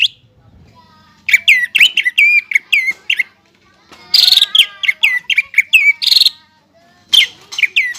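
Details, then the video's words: Greater green leafbird in full song, used as a lure to get young birds singing: rapid series of sharp, downslurred whistles and chirps, interrupted by short harsh buzzy bursts, with brief silent gaps between phrases. "CUCAK IJO GACOR"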